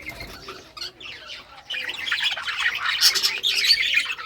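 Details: Rare-coloured budgies playing with toys, June 18, 2023; quiet scattered chirps at first, then a louder burst of rapid overlapping chatter and squeaky notes from the flock.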